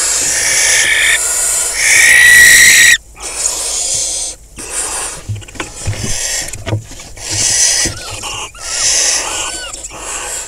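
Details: Barn owl pair with five surviving young in a farmland nest box, Hula Valley, northern Israel, 26 May 2020, male arriving with a rodent; harsh hissing for three seconds, then wing and body scuffles with brief faint hisses.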